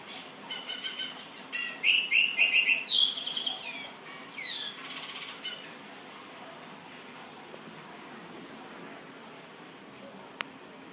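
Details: A captive male Black-and-white Seedeater in New Jersey, recorded after a feather change, sings a fast, high, tinkling phrase of varied whistles, buzzy slurs and quick trills for about five seconds, then falls quiet.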